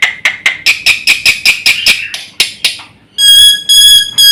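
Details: Black-winged myna in a master recording for provoking other birds: a row of harsh rasping bursts about four per second, a pause, then loud pure whistled notes with bright overtones.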